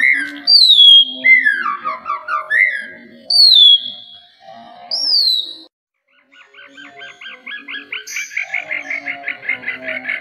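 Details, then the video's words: Oriental magpie-robin singing, meant to stir other caged birds into song: sharp falling whistles and short warbled phrases, a brief pause, then a fast, rhythmic buzzy trill of repeated notes. "Murai Batu Kicauannya yg Sangat Luar Biasa"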